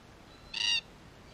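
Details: ['A single loud, rasping screech, about a quarter second long, from a wild red-tailed black cockatoo, part of a group in Australia caught on a spy camera they were damaging.']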